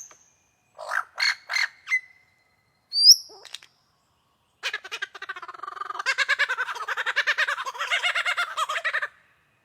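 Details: In a cold winter forest on a morning, a wild superb lyrebird gives a varied performance: a few short harsh notes, a sharp high whistle, then a long fast run of rattling, clicking pulses.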